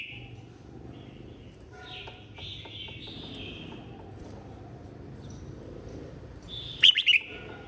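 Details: Contest-singing red-whiskered bulbul, 2023: a series of clear, slurred whistles, some descending, then a sudden loud phrase of three sharp, bubbly notes; faint background hum.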